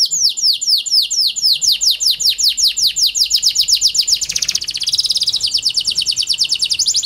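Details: Kenari panda (a canary) singing to coax silent canaries into song; quick falling chirps that merge into a dense buzzy trill, then resume as fast repeated slurred notes.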